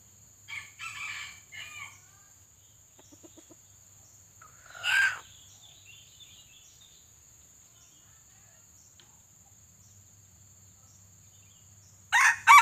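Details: Red junglefowl, a pale white-legged bird used as a trapping decoy to lure wild junglefowl, gives a broken, multi-note crow early on, then a loud harsh burst midway and another at the end, with long quiet gaps between.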